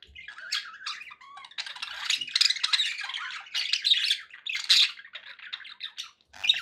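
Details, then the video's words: Several pet budgies indoors chatter nonstop: rasping warbled notes, short whistles and clicking squawks rising and falling in loudness over six and a half seconds. "1 hour of budgie sounds"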